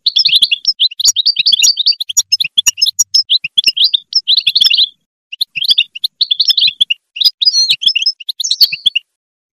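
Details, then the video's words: European goldfinch song, used to motivate other goldfinches: bright, rapid twittering of high chirps and tinkling notes in bursts, with a short pause midway before the lively chatter resumes. "Top motivation chardonneret l بتبتة الحسون للتحفيز"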